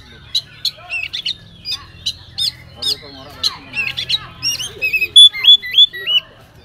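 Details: Oriental magpie-robin song rich in filler phrases, used as a lure to draw replies from other magpie-robins; starts with scattered sharp chirps and mixed twitters, ending in a loud series of clear swooping whistles.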